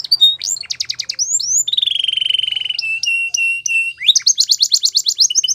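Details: Belgian canary singing: rapid chattering notes, then a long buzzy trill held steady for over a second, a run of clipped whistles and a fast high rattling finish.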